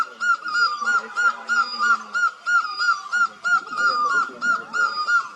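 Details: Asian great barbet calling in a fast, even run of short identical mid-pitched notes, roughly three each second, steady throughout, with a faint low hum early on.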